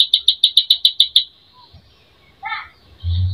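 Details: Greater green leafbird singing full of mimicked phrases, a recording used as a lure to provoke a bird's emotion: eight rapid sharp high notes in just over a second, a pause, then a brief descending burst and a low rumble.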